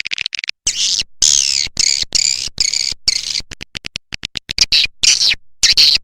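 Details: Edible-nest swiftlet 'A Leyung' lure call for drawing swiftlets in: short high clicks, then loud rasping, twittering chirps in uneven bursts with brief gaps, interspersed with quick ticking clicks.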